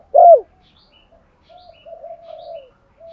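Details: Spotted dove decoy calling to draw in other doves: one loud, short, downslurred coo followed by a softer, drawn-out wavering hoot.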